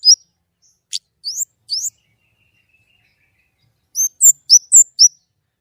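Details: White-rumped shama singing gacor nembak with a clear voice: scattered upward-sweeping whistles, a long silent gap, then a quick group of five slurred notes.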